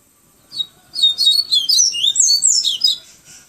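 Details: High, rapid warbling phrase of a Yellow-bellied seedeater from Salvador, Bahia: an opening chirp, then about two seconds of swooping, twittering notes that tumble up and down before fading.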